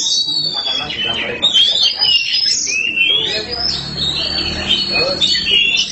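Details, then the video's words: Caged black Oriental magpie-robin (kacer hitam) singing nonstop: dense, varied whistled phrases with sliding notes and chattering trills, loud throughout. Background talk and a low hum are audible. "Kacer hitam gak pernah malu untuk gacor"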